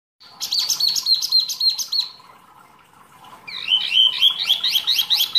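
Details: Wambi mini, a rarely kept songbird singing actively, used as masteran training material for songbirds: rapid bright chirped phrases repeated about four per second, a pause, then a sweeping high warbled run of trills.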